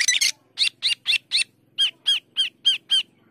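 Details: Asian glossy starling (cucak keling), in a gacor singing session, gives a series of ten harsh squawking notes at a steady pace of about four per second, with faint low background hum.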